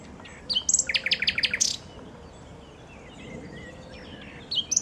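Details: A common nightingale singing in Westduinpark gives a loud phrase of rapid, repeated high notes ending in a sharp flourish, then pauses before a softer phrase. A low rumble sits underneath.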